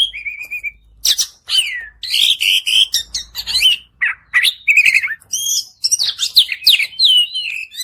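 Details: Long, energetic song of an Oriental magpie-robin, played so a silent bird will reply; a flat whistled trill, then dense bursts of harsh chatter, falling whistles and bright slurred phrases.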